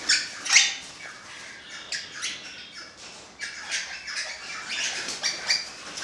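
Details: Crimson rosella, an orange-blue fallow colour form, gives harsh, high, scratchy squawks in irregular bursts, roughly two per second, with softer chattering notes between them.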